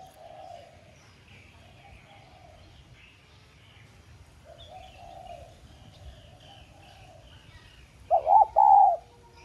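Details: Several soft, distant drawn-out coos come first, then a close decoy spotted dove in the 'Son' voice closes loudly with a wavering double note and a steady coo. The decoy is used to call and rouse other doves to coo.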